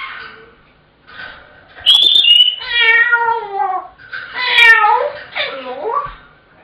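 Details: Pet African grey parrot shouting at home until given its tea, starting again whenever its owner leaves the room: a whistled note, then drawn-out wavering, meow-like wails and harsh squawks.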